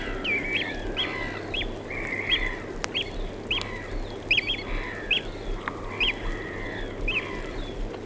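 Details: Eurasian oystercatchers call alongside black-headed gulls in Norfolk, U.K.: frequent shrill piping notes at moderate distance, interspersed with drawn-out gull calls, a couple of sharp clicks and steady low rumble.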